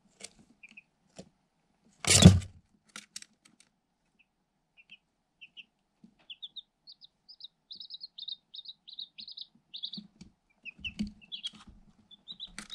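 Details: Eight Light Sussex chicks, one day old, are hatched in an incubator and filmed through a hole in their cardboard box with a GoPro Hero 7 Black. After a loud early thud, a long run of high peeps gradually quickens. Soft pecking taps continue.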